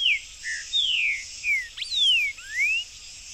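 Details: Buff-throated saltator, called tempera-viola, singing freely in a backyard: sweet whistled phrases with long downward slurs, one short flat note and a final upward sweep, backed by a constant high insect hum.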